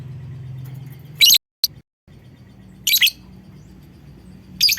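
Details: Lovebird calling to prompt other lovebirds to sing: three short, harsh, high chattering bursts about every one and a half seconds, with a few sharp ticking clicks and a low hum behind.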